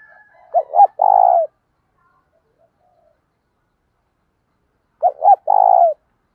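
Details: Spotted dove cooing for training wild-caught doves: two identical phrases roughly four seconds apart, each a stuttering pair of short hoots then a thick burry coo, silence between.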